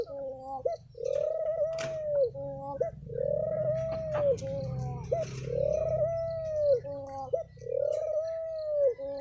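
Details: Thổ pháp song of a spotted dove, meant to provoke males and females: four drawn-out, arching coos about two seconds apart, each with short clipped notes between, over a low background hum.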